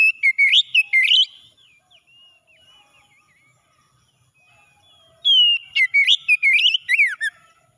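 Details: Two bursts of oriental magpie-robin morning song, separated by a pause of about four seconds, intended to revive stressed birds' singing. Each burst is a quick series of sharp, varied whistles ending in falling slurs.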